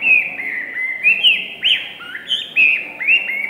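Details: Hwamei song: a varied stream of rich whistled slurs, rising and dipping, some upswept notes and a higher inflected whistle, delivered quickly without pause.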